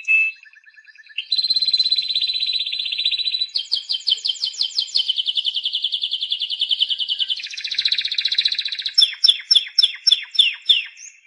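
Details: Singing Timbrado canary delivers a long sequence of tours: a soft opening note, then sustained rolling trills that shift pitch and speed every few seconds. It finishes with sharper, widely spaced clipped notes.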